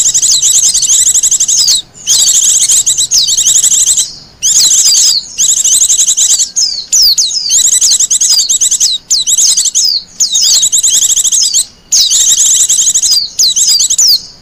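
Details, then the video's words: Wild Japanese white-eye, recorded as lure and master song: repeated bursts of thin, very high rapid twittering, each one to two seconds long, with clear slurred whistles between and short pauses. "Suara burung pleci liar,cocok buat pikat dan masteran."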